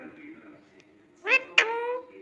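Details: Pet ring-necked parrot that talks in Urdu and Hindi, giving two quick bright rising cries about a quarter-second apart after a quiet stretch. Faint room noise and a soft hum are heard under the calls.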